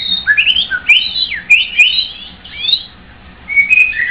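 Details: White-rumped shama singing a rich run of whistled phrases, sliding notes rising and falling with quick flourishes, short pauses between phrases and a final pair of clear whistles.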